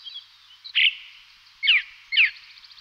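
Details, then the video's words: A Blue Rock Thrush (Monticola solitarius) sings three short, bright notes in under three seconds: a fuller warbled note, then two quick downslurred whistles half a second apart. "Monticule (Merle) Bleu - Blue Rock Thrush - Monticola Solitarius"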